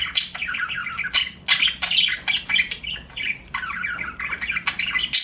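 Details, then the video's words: Chattering budgerigar with rapid, rolling warbles and clicks, phrases rising and falling in pitch, broken by short gaps roughly every second. "BUDGIE CHIRPING SOUNDS"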